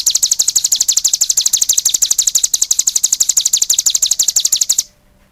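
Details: Cigun in full song: a long train of high, evenly spaced chirps, roughly three each second, stopping abruptly near the end.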